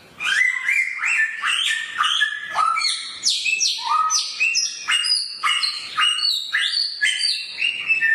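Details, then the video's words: Samyong bird with a sharp voice: a loud, fast, varied song of short whistled and chirping notes jumping between high and low pitches, delivered in a dense continuous stream. "burung samyong suara pedas"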